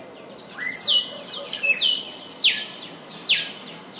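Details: Scrub Blackbird (Dives warszewiczi), a common bird in southwest Ecuador, gives loud whistled notes that sweep sharply downward from high pitch. Four phrases come roughly every 0.8 seconds over quiet background hiss.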